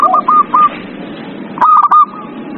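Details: Zebra dove song used to encourage a silent dove to sing, with two quick runs of short, level, ringing coo notes separated by a pause, against low background hum.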